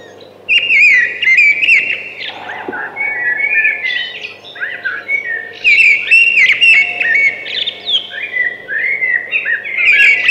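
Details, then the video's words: Singing thrush: a series of varied whistled phrases, each with trills and slurred notes, coming in repeated bursts with short gaps between them; soft steady hum in the background. "Beautiful Thrush Singing."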